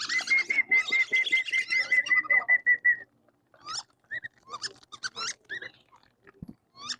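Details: Tame, free-roaming Wandering whistling ducks, kept as pets and often foraging in swamps and rice fields, give a flock's worth of high, thin whistles, one steady note repeated quickly, then scattered squeaky twitters and chirps as they are called to be fed.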